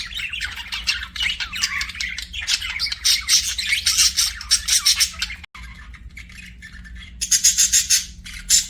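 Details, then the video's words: Pet budgerigars chirp and warble in a fast, pulsing chatter of high scratchy notes, a sudden brief cut midway, then bright rapid chirp bursts resume. "BUDGIES SINGING AND CHIRPING"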